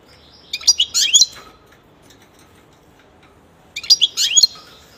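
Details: Pet European goldfinch giving two bright, twittering song bursts of rapid tinkling and buzzy notes, about three seconds apart, with quiet pauses between.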